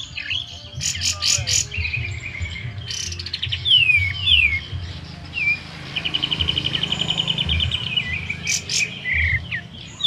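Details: Sooty-headed bulbul in full song, tail not yet spread, kept at home as a lure bird: busy chattering phrases of high chirps, slurred whistles and a long even buzzy trill, over steady low background hum.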